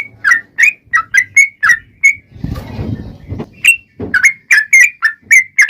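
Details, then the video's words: Yellow-vented bulbul in rapid-fire song, used as a lure to provoke other bulbuls into singing. Quick liquid whistled notes are interrupted midway by a burst of low rustling noise, then the bubbly series continues. "trucukan gacor TARUNG ROPEL PANJANG pancingan trucukan agar bunyi"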